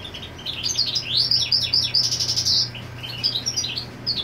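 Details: Goldfinch singing to mark territory while its female occupies the nest; dense burst of rapid upswept chirps and tinkling notes, easing into scattered twitters, low hum behind.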